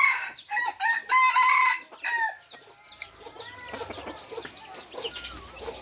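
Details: A third-generation red junglefowl gives one loud, raspy, stuttering crow, followed by a busy background of whistling and chirping small birds and a low hum.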